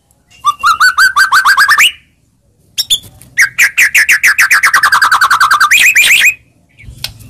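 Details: White-rumped shama song used to provoke a reply: long rapid trills of repeated notes, one run falling slowly in pitch before jumping back up.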